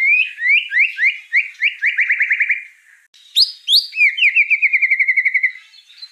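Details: White-rumped shama singing, tutor material meant to get young shamas singing vigorously: two bursts of quick repeated whistled notes, each speeding into a dense trill, split by a brief silence and high sharp opening notes.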